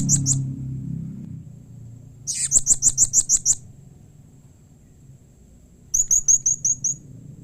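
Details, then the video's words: Blue-crowned hanging parrot giving a call said to draw replies from other hanging parrots: two short high chirps, then a fast run of about nine piercing notes, and after a pause a softer string of six. "SUARA Serindit Seperti Ini Paling Di Sukai & Cepat Di Respon Bikin Nyaut Semua Burung Serindit"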